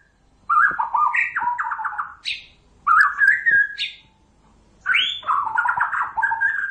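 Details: White-rumped shama song for luring birds to traps, delivered in three separate bursts: each burst has a whistled opening, trilled warbling notes and a sharp high upslur, with short silences between.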